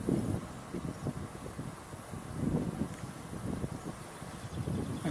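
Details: Gusting wind buffets the microphone over a low vehicle rumble outdoors, with no animal calls.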